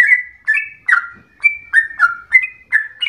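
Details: Trucukan, or yellow-vented bulbul, in full rapid song reminiscent of a straw-headed bulbul, giving short sweet whistled phrases that alternate between rising and dropping, with brief gaps between them and a quiet background.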